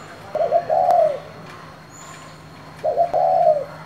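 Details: Spotted dove in the 'thổ' voice style, calling to provoke other doves. Two low, hollow coos about two and a half seconds apart. Each has a brief stuttered opening and a longer, drawn-out falling note. Quiet background.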